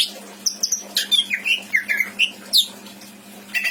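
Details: Caged greater green leafbird in full varied song, used to tutor other birds: quick high chirps, slurred whistles dipping and rising, scratchy notes and a sharp upslurred whistle near the end, over a constant low hum.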